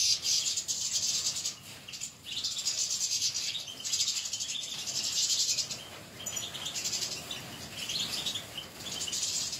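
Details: Caged European goldfinches singing, a continuous high, bright twittering with tinkling trills and short pauses, several birds possibly overlapping.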